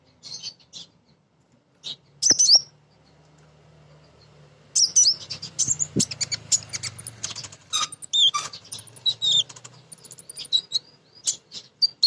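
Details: Calling female crimson sunbird, known locally as konin betina: thin, high twitters and quick descending chirps, sparse at first, then dense rapid bursts after a stretch of low humming noise.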